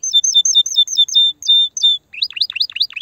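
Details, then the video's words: Aroused canary singing to prepare hens for mating: clean whistled two-part notes repeated steadily, a brief pause, then quick sharply rising chirps in a short series. "تغريد كناري هائج , لتجهيز الاناث على التزاوج , و بناء العش فورا"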